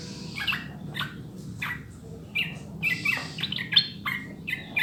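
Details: Sooty-headed bulbul song used to encourage caged birds to sing. Spaced single notes lead into a livelier run of bright, warbled whistles in the second half, with a soft background hum.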